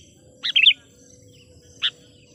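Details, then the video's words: Sooty-headed bulbul trained as a decoy for wild birds: one quick burst of three liquid, chirping notes, then a single short note a second later, over a soft low background rumble and a steady faint tone. "suara burung KUTILANG PIKAT gacor/suara PIKAT KUTILANG gacor memanggil kutilang liar"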